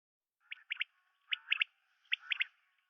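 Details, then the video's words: Common quail (Coturnix coturnix) giving three rounds of its liquid three-note 'wet-my-lips' call, sharp and fairly high, repeated about every 0.8 seconds against a quiet background. "CALL COMMON QUAIL (Coturnix coturnix)"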